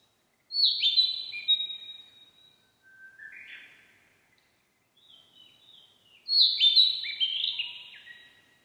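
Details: Narcissus flycatcher singing two loud, high whistled phrases with slurred notes, separated by a lower, quieter buzzy motif and a brief pause; otherwise a quiet setting.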